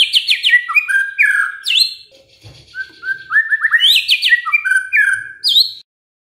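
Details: White-rumped shama singing as a lure to make quiet birds respond, a rich run of loud varied whistles, slurred rising and falling notes and sharp high flourishes, with a short hush midway before the phrases resume.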